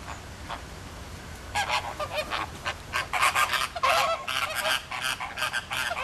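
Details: Captive flamingo flock at Philadelphia Zoo, massing together and circling while flapping their wings: after a quiet start, a dense chorus of harsh, nasal honking calls breaks out and continues in overlapping bursts.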